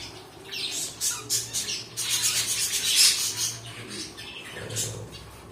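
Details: Pet cockatiels starting with scattered chirps, building to a loud run of rapid harsh squawks in the middle, then easing back to occasional calls.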